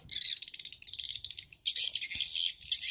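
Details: Lure track of edible-nest swiftlets for swiftlet farmers, Bulan Madu and Black Phoenix played in stereo: quick ticking chirps that run into longer, dense high twitters, with a brief pause midway.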